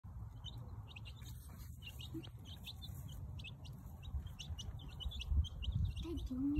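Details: Baby chicks on their first day, exploring: many short, high peeps overlapping in a busy chorus, with low rumbling handling noise and a brief murmured voice.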